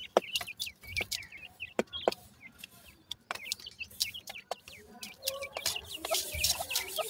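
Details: Grey francolin chicks feeding, a lively chorus of short, high, falling peeps with many sharp clicks and taps, growing busier and louder toward the end.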